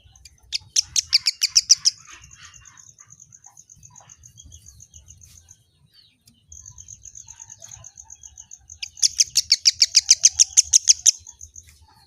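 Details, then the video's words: Kemade bird, said to answer any sound at once and used as a tutor voice for greenbirds; bursts of sharp, high chirps repeated rapidly, with a steady thin high tone running through the middle between the bursts. "suara asli burung kemade|| kemade apapun langsung nyaut"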